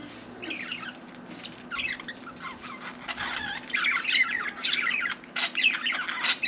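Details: Pet budgerigar chattering as if it wants to talk, with a soft, rambling warble of wavering chirps that grows louder and busier toward the end.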